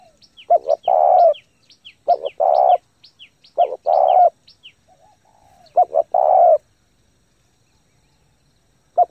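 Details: Fast cooing by a spotted dove, used to stimulate and train freshly caught doves: four low phrases of a clipped double hoot and a long even coo, spaced a second or two apart, under a scatter of high, thin downslurred chirps.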